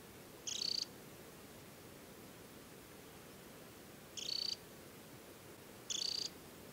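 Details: Adult Temminck's stint in summer plumage, banded, at Tinnhølen lake on the Hardangervidda mountain plateau, Norway, in early July: three short, high, rapid trills, irregularly spaced, over a steady low background rush.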